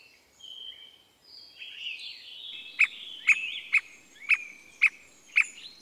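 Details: In Costa Rica, a Squirrel cuckoo starts a series of six loud, abrupt notes spaced about half a second apart, after a stretch of other birds' whistled and warbled song.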